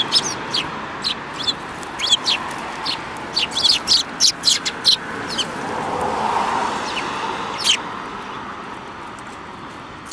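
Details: Several sparrows, one with a yellow beak, recorded on 29 January 2018: short bright chirps in scattered bursts, bunching into a quick run of notes around the middle, over a steady broad background hum.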